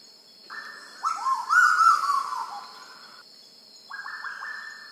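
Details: Black-billed koel in Sulawesi giving loud, rising whistled notes in quick overlapping runs, about four a second, over a steady high insect drone.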